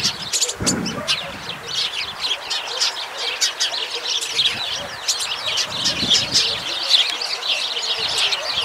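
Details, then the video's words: A flock of sparrows keeps up dense, restless chirping, countless brief sharp notes tumbling over each other, with a dull low thump near the start. "Świergot wróbli"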